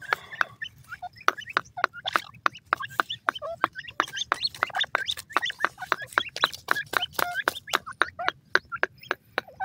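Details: Teetar (grey francolin) chicks during feeding: a dense stream of short, sharp peeping notes and quick clicking taps, many overlapping, repeated rapidly throughout.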